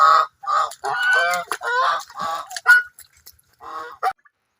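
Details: Geese playing happily in water honk in a rapid run of harsh, nasal calls, about seven blasts in three seconds, then a pause and two more.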